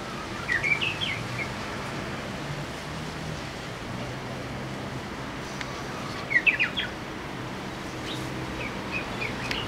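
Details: First song of the year from a Japanese bush warbler, heard but not seen high in a loquat tree by a house, 15 March 2014: two short bursts of quick, twisting whistled notes about six seconds apart, over faint background hiss.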